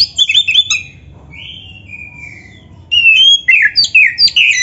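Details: Kacer training song, Oriental magpie-robin: quick chirped notes, then a quieter stretch of long smooth whistles, followed by a loud burst of varied, sharp, rapidly alternating whistled phrases.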